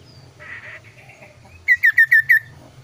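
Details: Kaso-kaso bird, a clear and varied singer: a soft buzzy note and a thin rising whistle, then five crisp, evenly spaced, down-slurred whistles.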